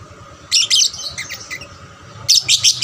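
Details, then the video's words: Young lovebird calling to encourage other lovebirds to sing, with a cluster of scratchy high chirps, a quieter twittering passage, then a quick string of four sharp shrill notes. "pancingan lovebird paud rajin bunyi... merangsang lovebird lain lebih gacor"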